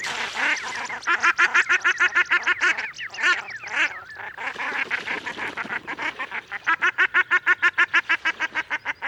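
Common shelduck giving long runs of rapid, nasal, gabbling notes, about three to four per second, with a brief overlapping burst midway.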